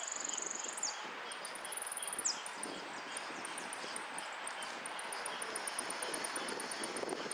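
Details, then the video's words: Competition singing of a saffron finch in repique style: a long, high, thin whistle, a pause, then another high sustained whistle ending in a downward slur, followed by faint rapid high ticking against constant noise. "Amarillo de Repique Concurso"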